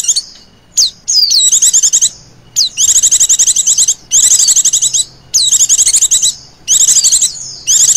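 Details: Female Oriental white-eye chirring continuously ('ngecir') as a bird lure: a few isolated sliding whistles, then dense, fast, thin trills in repeated bursts with brief pauses, each burst containing a downward-swooping note.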